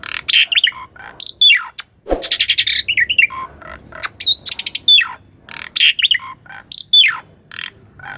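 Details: Asian pied starling training song for a caged starling, recorded on a Sony A6400: harsh squawky notes, clicks, and whistled downslurs repeated several times among quick trills.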